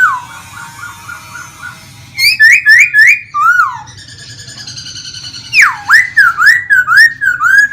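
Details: Caged laughingthrush kept as a songbird in Vietnam, singing while fanning and dancing: a soft warbled run, then loud ringing whistled phrases that swoop down and up, repeated several times, in an indoor room.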